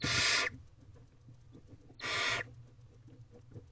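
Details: Two loud, harsh hissing screeches about two seconds apart, each roughly half a second long, from hungry barn owl owlets gathered around the female in their nest box at 4:34 am on 20 April 2023, with faint shuffling between.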